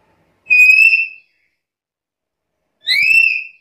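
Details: Black-capped lory, calling actively: two loud, level whistles roughly two and a half seconds apart, the second slightly rougher and wavering.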